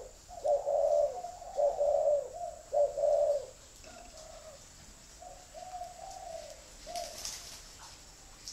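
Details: Spotted dove giving a clear, mellow series of low coos, three loud rounded notes early, then quieter, softer coos trailing off, with a brief rustle near the end.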